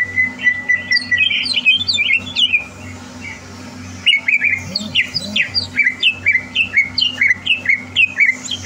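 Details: A contest-ready caged greater green leafbird, recorded 30 November 2022. It opens with a level whistle and warbling, pauses briefly, then gives a rhythmic series of sharp, down-slurred chirps about two per second, over a low hum.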